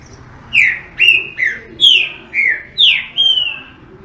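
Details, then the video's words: Green-winged saltator song of seven clear, ringing whistles spaced about half a second apart. Descending slurs alternate with flatter notes, ending in a long sustained whistle, with faint low murmur beneath. "TRINCA FERRO CANTADOR"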